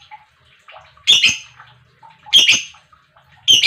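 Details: Lovebird call used to provoke other lovebirds: harsh, rasping double chirps about every one and a quarter seconds, separated by soft low twitters.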